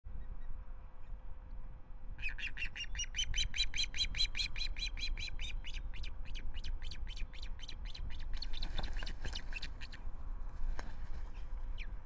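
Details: Breeding osprey at the Manton Bay nest defending it against an intruding juvenile: a rapid series of sharp, high, piercing chirps repeated for about eight seconds, then a few scattered calls, over steady low wind rumble.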